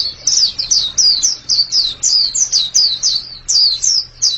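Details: White-eye known as pleci sings short bursts of high, slurred chirps, about three per second, separated by brief gaps, with a low hum faintly present.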